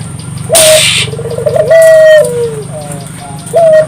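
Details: Spotted dove singing to stimulate local doves: a rising note with a brief rustling burst, a rolled trill, a loud drawn-out level coo falling at its end, then another rising note, over a low steady hum.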